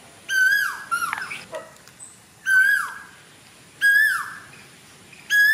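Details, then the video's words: A cuckoo in Sri Lanka, June 2024, gives four loud, ringing calls, each a strong note that falls away, about every one and a half seconds, with a brief rustling clatter between. "Cuckoo singing"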